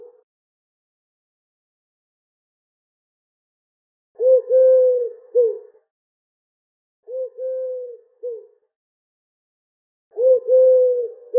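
A pigeon gives three soft, low cooing phrases a few seconds apart, each a rolling swell then a steady hum ending in a brief note; otherwise quiet.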